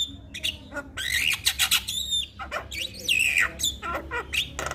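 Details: Javan myna mixing grating squawks, bent whistles and short chirps in an uneven torrent, part of a mimicry-filled song used to stir a silent myna to sing.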